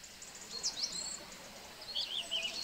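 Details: Song thrush on Monte Nevoso mobbing a Ural owl in forest with flying attacks, giving short, sharp, high alarm notes in two brief bursts in rapid succession over a steady hiss of background noise.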